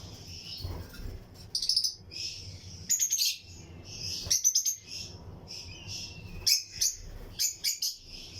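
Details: In a breeding colony aviary, Lutino lovebirds chatter with bright, clipped high chirps in quick groups of two to four, separated by softer, hissy twittering from other birds in the flight.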